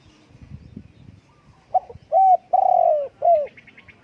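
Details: Spotted dove cooing: a short soft note, then a clipped coo, a longer drawn-out falling coo and a final short coo, low and mellow, after a brief stretch of faint rustling.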